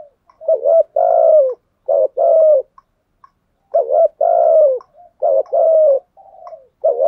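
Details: Decoy spotted dove calling to attract wild doves, repeating phrases of a quick double coo and a long mellow coo, roughly every few seconds, with faint soft notes between phrases.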